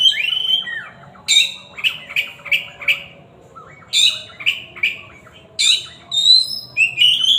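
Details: Powerful whistled song from an Oriental magpie-robin: runs of quick, sharp, repeated notes roughly every quarter to half second, broken by brief pauses and ending in clear slurred whistles.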